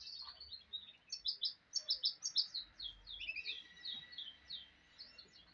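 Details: Song of a goldfinch hybrid, or mulet: a lively run of quick, high chirps and trills rising and falling, delivered almost without a break across the whole stretch.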